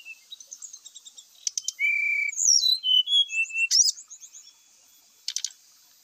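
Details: Grey-chested jungle flycatcher song used as a lure, full of mimicked phrases: clear whistled notes near mid-high pitch, sliding falling slurs, short rapid trills and scattered sharp clicks, varied and unhurried.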